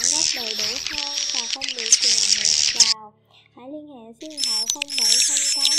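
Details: Edible-nest swiftlet luring calls for a swiftlet house: shrill rapid twitters over looping lower whistles, broken by a short near-silent pause midway before the chattering resumes.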